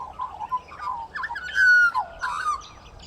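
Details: A young, brownish Australian magpie practises its song at Sandy Camp Rd Wetlands, Wynnum West, Queensland: broken fluty warbles and squawky notes, with one clear, slightly falling whistle in the middle.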